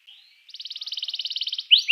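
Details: Canary singing to encourage other canaries to sing: a faint note, then a rapid pulsing trill of about twenty beats, closing with two loud rising whistled notes.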